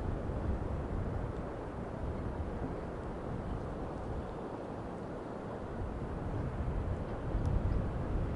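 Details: Low, rumbling wind buffets the microphone throughout, with no gull or other animal calls heard.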